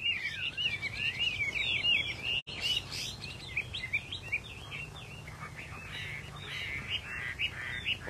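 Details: Rare Chinese hwamei with pale silver-patterned plumage, kept by a fancier, singing a fast stream of varied twittering and whistled phrases, briefly broken by a click, with low hum and faint voices behind.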